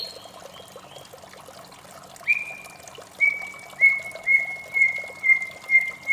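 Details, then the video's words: White-rumped shama singing in the morning, a few soft notes then a long level whistle and a run of about seven clear repeated whistles at one pitch, over gently trickling water. "suara merdu murai batu di pagi hari"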